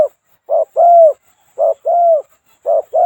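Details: In tall grass at the foot of hills on a rainy evening, a moulting Spotted dove (Spilopelia chinensis), a two-note decoy bird, gives soft, low two-part coos, a short note then a longer arched one, about once a second.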